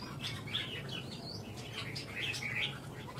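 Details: Red-whiskered bulbul at a singing competition in Vietnam, its warbled phrases fainter here against a steady low rumble and background noise.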